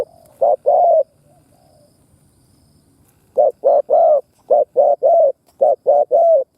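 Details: Decoy spotted dove calling to attract wild doves: a pair of low coos, a pause of two seconds, then quick runs of short hooting notes in threes.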